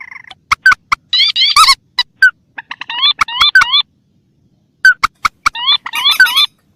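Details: Rails of paddy and swamp, mandar or pelan versus tikusan, on a lure recording: separate groups of sharp clicks and harsh rising upslurred squeals, with silent gaps between bursts.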